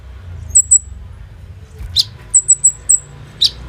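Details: Olive-backed sunbird, locally kolibri ninja, recorded on a phone as a lure for other birds: soft, widely spaced, very high whistled notes in pairs and short runs, with two falling chips.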